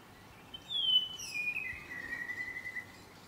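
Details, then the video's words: A South Island saddleback on Ulva Island, Stewart Island, New Zealand, in January or February 2020, gives a single drawn-out whistle that starts high, slides down, then holds a long, slightly wavering tone for about two seconds. "South Island saddleback"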